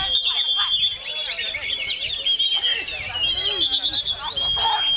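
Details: Oriental magpie-robin song delivered in a strong wind: fast, jumbled high warbles and sharp chirps, plus a faint lower whistled phrase near the end.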